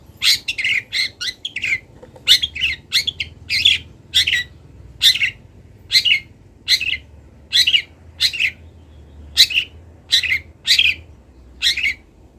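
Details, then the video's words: Long-tailed shrike, a local bird from Kendal, in a master recording for training birds: a rapid opening chatter, then regular harsh rasping notes repeated roughly every second in a steady series. "MASTERAN CENDET TROTOL BELAJAR BUNYI | CENDET LOKAL KENDAL"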